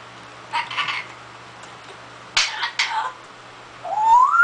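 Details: Pet parrot that copies coughing and funny phrases: a short rough burst, then two sharp hacking, cough-like bursts, ending with a rising whistled note, indoors with a faint steady hum.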